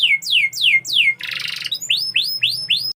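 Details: Canary song: three fast downward-sweeping whistled notes, then a dense buzzy rattle, then a run of rising chirps, all high and bright, with a faint low hum beneath.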